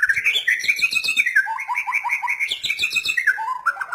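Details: Rapid, bubbling song of a white-rumped shama: high chattering trills over steady whistled notes, then a run of quick lower notes repeated several times in succession.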